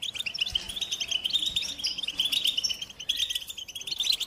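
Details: American goldfinch twittering song, a busy flow of high squeaky chirps and short trills, slightly rising and falling, with a few faint low taps in the background.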